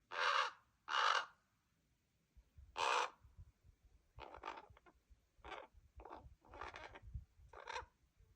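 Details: Common raven fledglings, still staying with their parents and waiting impatiently for food, give harsh hoarse calls: three loud broad squawks, then a run of shorter, quieter rasping calls at irregular intervals.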